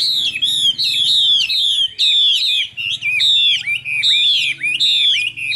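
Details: Caged Chinese hwamei in Vietnam, with a fine voice, pours out continuous loud whistled phrases, each swooping down and hooking back up, in a fast rhythm of about one a second.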